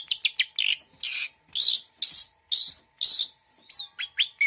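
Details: Long-tailed shrike in mixed song: quick sharp chirps, then a run of harsh buzzy notes repeated about twice a second, closing with clear whistled downslurs and chirps.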